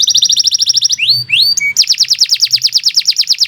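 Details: Canary's fast repeated whistled trill, a few upward-sweeping slurs, then another long, rhythmic run of quick notes at a steady rapid pace.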